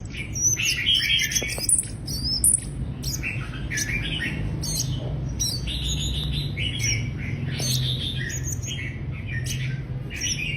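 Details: Mrs. Gould's sunbird singing a fast, high twittering stream of thin chirps and trills that keep going without pause, over a low rumbling background.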